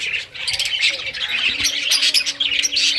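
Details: Budgerigars of rare colours playing with toys, a brief burst of busy high chirping and warbling from several birds overlapping, with a faint low hum beneath.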